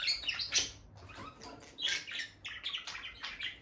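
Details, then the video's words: Peach-faced lovebirds, a bonded pet couple sharing gentle moments near the nest box; scratchy high chirps and twittering in bursts, a loud squeak early on, then a short pause and renewed chatter. "Parrot Chirping Sounds – Relaxing Lovebird Couple Vocalizations"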